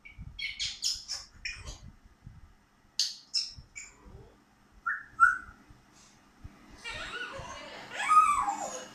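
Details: Grey parrot (Psittacus erithacus) mimicking speech in a clipped, speech-like voice, mixing short chatter with sharp whistles and a rising, wavering whistle near the end.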